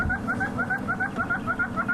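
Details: Hornbills getting very cross with an animal that is showing off in a tree near a kill at sunset on safari: quick paired clucking scolds, about five per second, steady and mid-pitched, over a low rumble.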